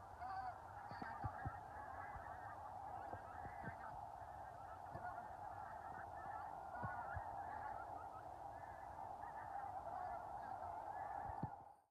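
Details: A large flock of geese, including a Cackling Goose (Branta hutchinsii hutchinsii) with a known abscess on its left leg, gives dense, overlapping nasal honks and cackles at Ritokorpi, Tyrnävä, northern Finland, on 2 October 2022.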